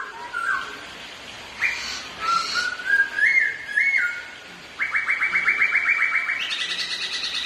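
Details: Two Black-throated laughingthrushes in a singing contest, also dancing: varied whistles rising in steps, then a fast, steady run of repeated notes that finally jumps higher. Nothing but bird sound is heard.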